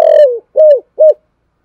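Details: Spotted dove calling in the Thổ Sấm cooing style, used to stir up wild doves. A longer falling coo is followed by two short, arched, hollow coo notes, then silence.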